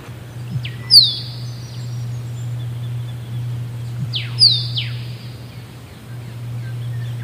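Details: A musk duck repeats a low plop and a high, falling whistle twice, the whistles ringing sharply over a constant low droning hum.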